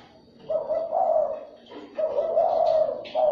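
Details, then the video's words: Calling spotted dove used to lure other doves: two drawn-out, warbling coo phrases, each lasting about a second, separated by a short pause, with a brief high chirp near the end. "chim cu gáy , kích bổi siêu nhanh"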